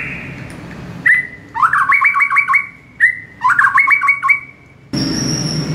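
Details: White-rumped shama master song, recorded in the morning for training caged birds: two matching phrases of a whistled lead note and a quick rippling trill, then a burst of hissing noise with a thin high tone.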